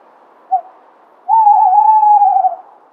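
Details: Tawny owl giving a brief soft note, a pause, then a drawn-out quavering hoot lasting over a second, wavering slightly in pitch before fading, against a silent background.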